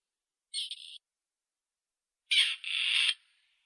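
A Grey Partridge gives two harsh, grating, creaky calls, a short one then a longer two-part rasp, high-pitched and scratchy, with silence between.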